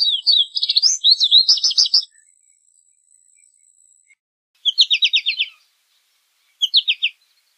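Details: American goldfinch song with two seconds of varied, twittering high notes, a long pause, then two short, rapid trills of evenly spaced chips.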